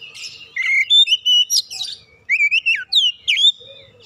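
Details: Singing oriental magpie-robin used as a lure to trigger other birds' song. Two bursts of loud whistles, with wavy, looping and sharply bent notes, plus a few buzzy chips.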